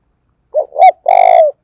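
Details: Spotted dove used as a decoy to attract wild doves, calling with a crisp three-note coo: a short note, a rising-falling second note, then a long, slightly buzzy held coo; silent background.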